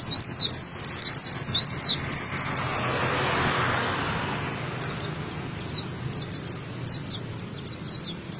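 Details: Oriental white-eye singing as a training master for cage birds, a long run of high, rapid, warbling twitters, a brief lull, then repeated thin high chips against constant background noise.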